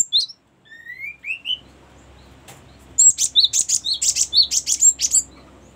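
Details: Cinereous tit song used as a lure and tutor for training birds: a few thin rising whistles, then a dense run of high, sharp repeated notes in quick succession.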